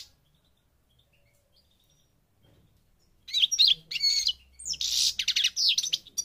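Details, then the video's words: Goldfinch of the North African parva form from Morocco, silent for about three seconds, then bursting into loud rattling buzzes and rapid tinkling chirps. "The Goldfinch's Song North Africa - Parva Morocco Bird Song"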